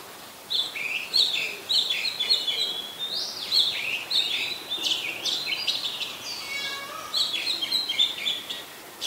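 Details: Continuous varied song of an Oriental magpie-robin, Ubon Ratchathani, Thailand, July 2021: dense runs of high whistles and scratchy warbles, a brief lower whistle in the middle, then more rapid phrases.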